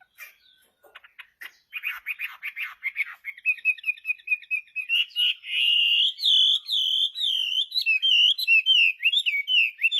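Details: A Chinese hwamei in full song. Quick stuttering notes give way to a sustained run of loud whistled phrases that rise and fall. The song grows into repeated looping warbles near the end.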